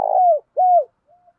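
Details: Spotted dove cooing in a rhythmic decoy recording for training birds: two loud, slightly falling coos, the first with a rough buzzy start, then a faint short final note; no other sounds.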